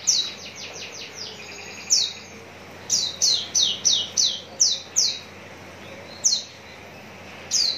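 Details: Javan bush lark, Tangerang regency, singing a fast opening flurry of high falling notes, then a rhythmic run of crisp down-slurred chirps about three a second, ending with a couple of isolated notes.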